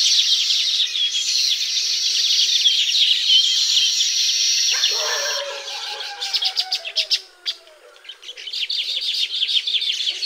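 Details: A steady wash of thin, high chattering from Baya weavers around their woven hanging nests in the tropics fades into sparser clicks and ticking notes after a brief lull.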